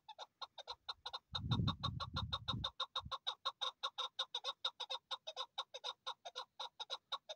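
A chukar gives a fast, steady series of harsh clucking 'chuk' notes, about three a second. A brief low rumble of handling noise comes near the start.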